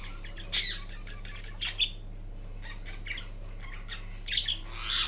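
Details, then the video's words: Napping kiwi green Indian ringneck parrot: soft, sparse scratchy notes and a couple of louder harsh squawks, mostly quiet with a steady background hum indoors. "Kiwi Indian Ringneck Parrot Making Different Sounds While Napping"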